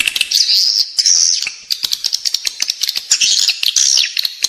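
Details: Edible-nest swiftlet lure call inside a building, meant to attract swiftlets: high buzzy trills broken by rapid staccato clicks, returning to trilled twitters at the end.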